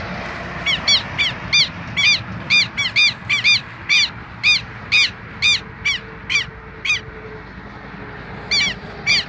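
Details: Southern lapwings, a pair guarding their nest in the same place, calling insistently in a long run of sharp, grating notes about two per second, a brief pause, then more calls at the end, in quiet outdoor surroundings.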